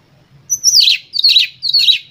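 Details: Excited Oriental magpie-robin singing to provoke other birds: three loud scratchy bursts in quick succession, each starting with a sharp high whistle and sweeping down into a buzzy rasp.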